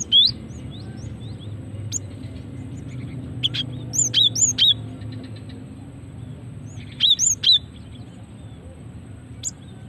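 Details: Female cinereous tit calling, used to lure birds and prompt others to sing: short bright chirped notes with rising-falling sweeps, given in clusters of two or three around 1, 4 and 7 seconds, over a low steady background hum.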